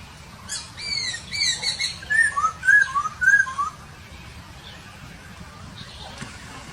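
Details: Masked laughingthrush singing in the wild: a few high harmonic notes, then a string of clear whistled slurs, each rising and falling, repeated about twice a second, over a low background hum.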